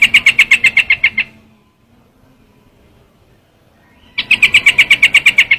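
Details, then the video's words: Two bursts of rapid, ringing chip notes from a trao trảo bird, each about a second long, with a quiet pause between them. "tiếng chim trao trảo"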